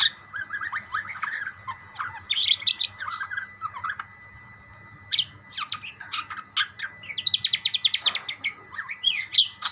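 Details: Several budgerigars answering one another with dense chattering chirps, a burst at the start, a quieter lull in the middle, then rapid clustered high tweets toward the end, with a faint low hum beneath.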